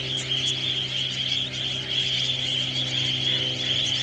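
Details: Budgerigars in large swirling flocks, with a few cockatiels, at Alice Springs Sewage Ponds, keep up a dense, unbroken warbling chatter of high chirps and twitters over a steady low engine-like hum.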